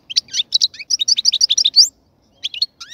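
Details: European goldfinch in a breeding cage sings a quick rhythmic chain of bright chirped notes lasting under two seconds, followed after a pause by a few lighter twitters and a rising whistle.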